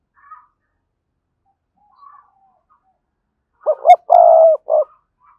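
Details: Decoy spotted dove with a strong, spirited voice delivering a single cooing phrase of two quick clipped notes, a long steady coo and a closing short note, preceded by faint quiet notes.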